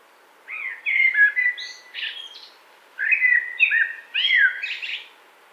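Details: A Common blackbird near Wittlich, 2018, sings several short phrases in close succession. Warm, descending flute notes mix with high, scratchy squeaks.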